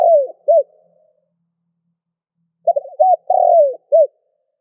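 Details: Spotted dove cooing for stimulating newly caught doves to call: the tail of one phrase with a falling note and short coo, silence, then a full phrase of stuttered notes, a long descending coo and a final clipped note.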